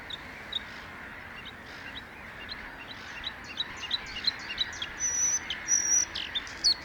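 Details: Bluethroat in song: soft ticking notes build into louder phrases with long, thin, level whistles high in pitch and sharp chips, repeated in rapid succession against background hiss.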